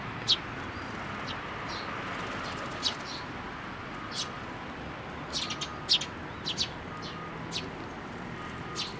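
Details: Young sparrows coming in for food at a shrine post at Tenmangu, 25 May 2024; sparse high chirps early, then a busier cluster of quick tweets around the middle, over quiet background hum.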